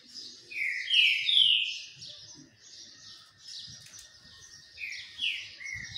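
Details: While basking in the sun, a green-winged saltator gives a few strong slurred whistles, falls quiet amid a steady high hiss and faint knocking, then resumes with another short whistled phrase.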